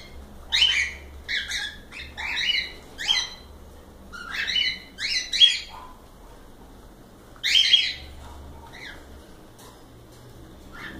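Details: Captive cockatiels chirping, a run of short rasping two-tone squawks for several seconds, a pause, one louder burst, then faint clicks.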